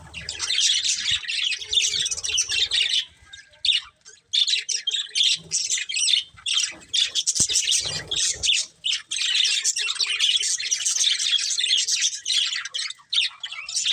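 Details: Colourful budgerigars, a breeding pair, chattering in dense, rapid bursts of high scratchy chirps and warbles, nearly continuous with brief pauses near four and nine seconds.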